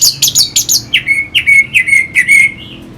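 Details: Orange-headed thrush singing to stimulate fighting birds: loud rapid high scratchy notes followed by a run of repeated clear sliding whistles, about three per second.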